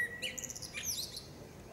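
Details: Female common blackbird song in a forest, heard quietly: a brief low whistle, then a fast string of high tinkling notes and a scratchy, squeaky ending.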